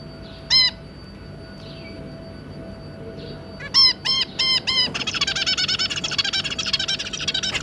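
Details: Zebra finch pair with three juvenile offspring in captivity: an isolated nasal honk, faint calls, then four loud honks followed by a rapid continuous chattering song.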